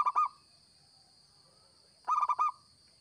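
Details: Lure recording of a local zebra dove: the tail of one phrase, a short silence, then a crisp burst of four cooing, bubbling notes, all over an unbroken high hum.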